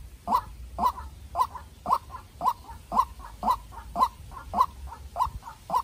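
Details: Calling contest between a young captive-bred White-breasted waterhen decoy and a wild bird: an even series of loud croaking notes near twice per second, each followed by a softer echoing note.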